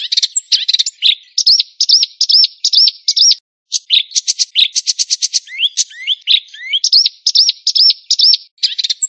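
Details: White-rumped shama singing a rich, varied song: runs of repeated looping whistled notes, then a rapid buzzy rattle and swooping slurred phrases, followed by more looping notes, with brief pauses between bursts.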